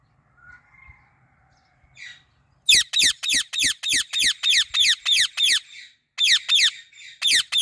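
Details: Female Indian ringneck parrot perched in a fully blooming apple tree. Faint soft murmurs at first, then a fast run of about fourteen shrill, harsh, high squawks in a tight rhythm, a brief pause, and more of the same.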